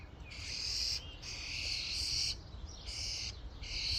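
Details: Flock of common starlings at a feeding station giving long, harsh, rasping calls in near-continuous overlapping blocks with brief gaps, over faint low rumble.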